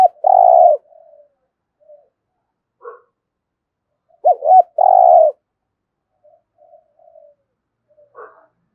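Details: Spotted dove cooing in the 'thúc gù' style. Two loud phrases, each a short warbling double note and then a drawn-out mellow coo. Quiet soft notes fill the gaps between them.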